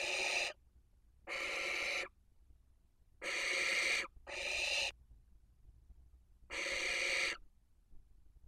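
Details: Five harsh, breathy hissing screeches, each half a second to a second long, come at uneven intervals on a barn owl nest webcam in Cabañeros National Park, Spain, in the 2023 breeding season, where a toad screamed when touched by the owls.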